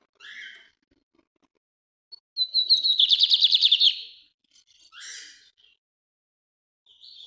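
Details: Lined seedeater, called bigodinho in Brazil, giving its northeast song type: soft scratchy notes, then a loud, evenly pulsed high trill lasting nearly two seconds, followed by further short buzzy notes.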